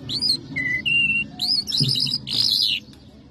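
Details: Lark called a Mashadi jal, of Iranian and Afghan type, singing a quick varied phrase: clear whistled upslurs and steady held tones, then a dense, buzzy warbled burst near the end, over a low background hum.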